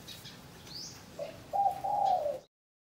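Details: Caged spotted dove of the 'vân rồng' plumage type in Cần Thơ, Vietnam, being introduced to a mate for breeding; after a quiet start, soft low coos rise into a longer hoarse phrase, with a brief thin high whistle earlier and background hiss.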